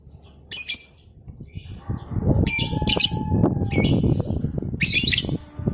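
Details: Lovebird in a recording used to train lovebirds in the long ngekek trill. Rough, rasping squawks repeat irregularly over strong low-pitched rumbling and clattering background noise.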